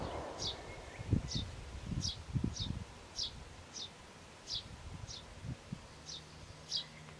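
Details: Eurasian tree sparrow nestlings in a nest box, a day before fledging, give thin, high chirps about every two-thirds of a second over low rustling and soft thumps.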